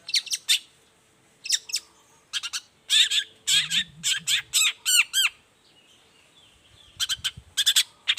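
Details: A long-tailed shrike sings vigorously in the morning to coax other shrikes into calling. Harsh squawky notes in pairs and bursts give way to a run of looping slurred notes, with pauses between phrases.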